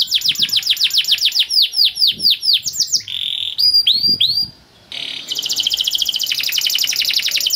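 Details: Canary singing to tutor young birds: repeated down-slurred whistles and quick chips, a short steady tone, a brief pause, then a long fast buzzy trill.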